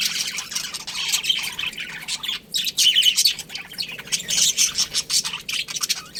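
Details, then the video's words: Budgerigars in a colony giving bright chirps and a few clear whistled notes over busy overlapping chatter, briefly quieter near the middle. "Cute Budgies Chirping Sounds"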